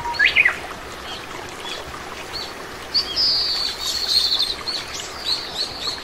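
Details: Oriental greenfinch, common resident bird across Korea: a sharp chirp at the start, then a long high whistle melting into a buzzy trill, with scattered soft twitters against a rushing water-like background.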